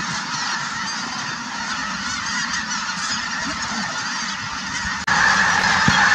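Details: Snow Geese at Merced National Wildlife Refuge on 3/4/2018, very active and flying; a dense, continuous chorus of overlapping nasal honks from a large flock, with a sudden louder shift near the end.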